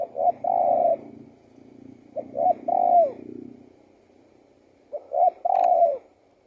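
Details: Spotted dove cooing, three phrases of short notes and a long drawn coo, with a low rumbling background under the first two.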